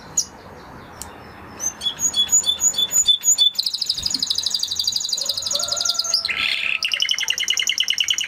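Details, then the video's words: Spanish Timbrado canary starting with scattered chirps, then spaced whistled notes, moving into a long rapid high trill, a buzzy burst and further quick rolling trills. "Canary Sound Effect - Canary Singing Video"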